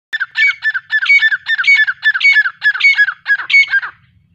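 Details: A pet grey francolin in an open area in nice weather gives a loud, shrill, grating call: harsh phrases repeated rapidly, about three a second, for four seconds with no other sounds.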